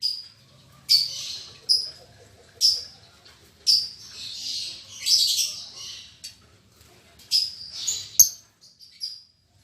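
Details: Lovebirds newly paired in a cage, an albino MM male and a lutino MM female, uttering sharp high squeaks at irregular intervals of roughly a second, some running into short rasping chatter.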